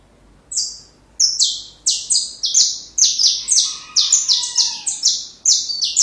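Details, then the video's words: Saffron finch singing for training young birds: after a single opening chirp, a dense run of high, metallic descending notes speeds up, with a faint lower whistle partway through. "Canário da Terra Canto Perfeito Para filhotes"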